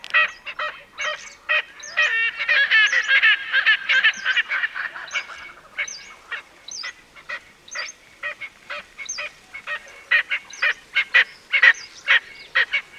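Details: Erckel's francolin's loud grating cackle: a quick rattling burst of harsh notes, then a long series of evenly spaced rasping calls repeated about twice a second.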